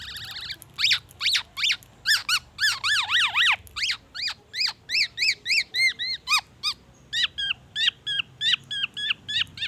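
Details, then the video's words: Black-naped oriole in full song, mimicking white-rumped shama: a loud run of sharp, sweeping whistled notes, each rising then falling, given about three per second with slight changes in pitch. Low hum underneath. "SUARA BURUNG KEPODANG EMAS GACOR BONGKAR ISIAN MURAI BATU"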